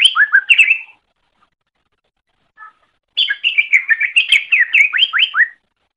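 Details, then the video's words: Song of the greater green leafbird, used to train other birds: a quick burst of rising whistles, a silent stretch, then a long energetic sequence of rapid up-slurred and down-slurred whistled notes. "Masteran Suara Cucak Ijo"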